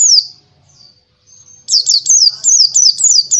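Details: Oriental white-eye, subspecies buxtoni, in a recording for training other birds. One sharp chirp and faint thin whistles are followed by a busy run of very high, slurred twittering notes in quick succession.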